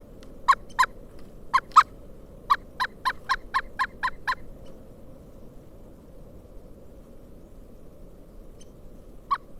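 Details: Pileated woodpecker calling during a December 2022 snow storm in Kalamazoo, Michigan: a series of about a dozen sharp, loud notes in quick succession, then silence and one final note, over steady low wind-like noise.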